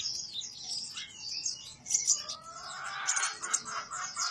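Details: Sumatran trotol ruby-cheeked sunbird delivering cetrekan and ngobra song: continuous high, rapid chattering trills, then lower rising, sweeping whistled phrases mixed in near the end over a busy background.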